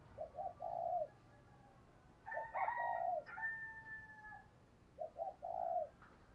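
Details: Decoy spotted dove cooing to urge other doves to call: low mellow phrases of two or three short coos then a longer drawn-out coo, at the start and end. A rooster crows loudly in between.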